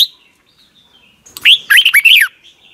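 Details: Caged Red-whiskered bulbul in Thailand, singing the song played to youngsters each morning. A faint thin whistle, then one loud, lively phrase of five or six slurred, swooping notes.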